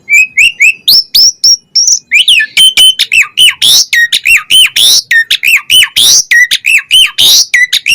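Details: Asian pied starling in energetic 'isian' song: a steady run of looping, hooked whistles repeated several times a second, punctuated by harsh buzzy squawks and higher piping notes.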